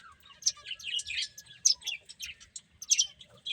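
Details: Feeding finches utter quick, sharp high chirps in short clusters separated by brief gaps, over a faint steady background tone.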